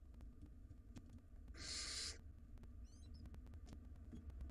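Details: Barn owl nestlings, wild, in a nest box contesting a very large rodent; a single loud rasping hiss of about half a second, then faint high chittering notes amid low background noise.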